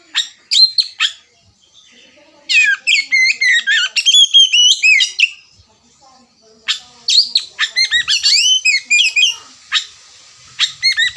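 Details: Oriental magpie-robin singing in ngerewek style, rapid bursts of bright whistled and slurred notes mixed with sharp chips, delivered in several long phrases separated by brief quiet gaps.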